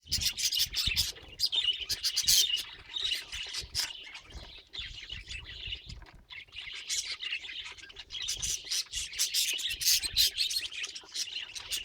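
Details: Pet budgerigar chattering continuously: a dense, busy warble of high chirps, squeaks and scratchy twitters with brief pauses, running throughout the twelve seconds without other clear sounds.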